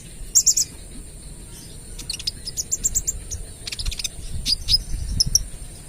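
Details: Kolibri ninja sunbird, trotol, in vigorous 'AK 47' rapid-fire song used as a lure. Very high chirps and sharp ticks come in quick bunches, over a soft low background rumble.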